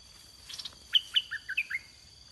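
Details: Red-whiskered bulbul, a large wild bird, singing during decoy luring with a caged bird: a short phrase of about six bright, chirpy whistled notes, some dropping and some rising. A steady high insect drone runs underneath.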